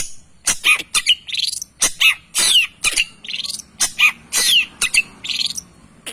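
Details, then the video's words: Long-tailed shrike singing to provoke rival shrikes: dense harsh, scratchy phrases mixed with sharp whistled slurs and clicks, delivered in rapid uneven bursts. "PANCINGAN CENDET GACORR"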